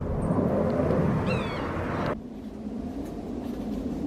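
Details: Yellow-bellied sapsucker giving a single short, nasal, mewing call with a slight wavering downslur, heard once early on over a steady low rumble of engine or traffic noise that cuts off abruptly partway through.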